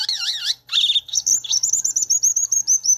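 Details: Violaceous euphonia song opening with wavering warbled notes, then a fast series of about fifteen short, high, clipped whistles repeated evenly, each slightly downslurred.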